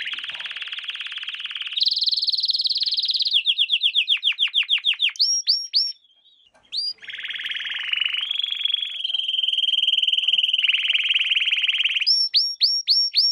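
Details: Canary song from a lesson series for young canaries: buzzy sustained trills, then a fast run of descending notes, sharp rising whistled upsweeps, a long rolling trill and more rising upsweeps, with a brief pause midway.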